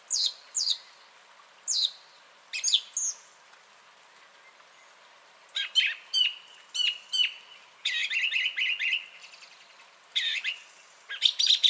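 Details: Song thrush singing on 30 January 2021: short, loud, varied phrases separated by pauses, some whistled notes given twice, later a stretch of rapid buzzy trills and clicking notes in a quiet setting.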